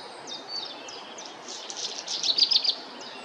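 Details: Black redstart singing: a few thin, high whistled notes followed by a scratchy, crackling rattle of quick clicks toward the end, over steady background noise.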